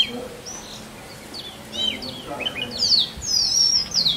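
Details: A male Oriental magpie-robin sings to attract a mate in forest: varied clear whistles and quick slurred notes rising and falling, growing louder and richer toward the end, over a faint background hum.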